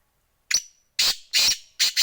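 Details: Black francolin in Sindh, Pakistan, giving a series of four harsh, grating, loud notes, the first short and the rest longer, spaced about half a second apart.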